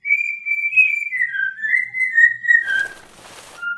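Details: Pet cockatiel whistles a line of "I Love Me Some Me" in pure, sustained tones that waver and dip gradually, followed by a brief rustling noise and one last lower whistle.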